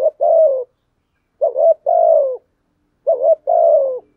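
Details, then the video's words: Spotted dove kept as a lure bird, cooing steadily: three phrases, each a short upswinging note and a longer, falling, vibrant coo, spaced roughly every one and a half seconds in silence. "chim cu gáy thúc gù bài bản, thúc gù + gáy gọi bài bản"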